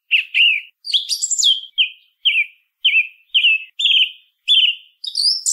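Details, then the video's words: Song thrush repeating a short downslurred whistle about seven times at a steady pace, after an opening scratchy twitter and before a final high squeaky flourish. "SONIDO de ZORZAL COMÚN CANTANDO"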